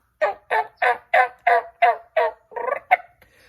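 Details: Turkey gobbling in reply to a man's laughing and coughing, 1 October 2021: a fast, throaty rattle of about eight or nine bubbling notes, roughly three per second, ending in a fainter trailing note.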